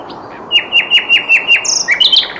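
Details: Flycatcher (sikatan londo) singing a series of six short, sharp, downslurred whistled notes, each about a quarter second apart, followed by a brief high twittering flourish.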